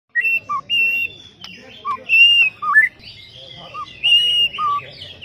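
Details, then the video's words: Oriental magpie-robin singing at a songbird contest: clear whistled notes, some long and level, some short and low, with quick rising slurs, given in bursts about every half second against a faint background murmur. "LOMBA KICAU MANIA BURUNG KACER"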